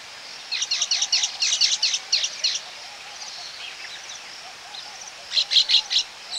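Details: Baya weaver close up at a breeding colony: quick bursts of high, scratchy chirps and buzzy notes, a two-second run then another burst after a pause, with flight calls of ring-necked parakeets.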